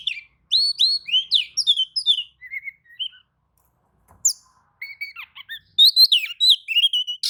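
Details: Oriental magpie-robin answering another magpie-robin's song with lively phrases of rising slurred whistles and quick chips, a short pause, then renewed rapid, varied whistling.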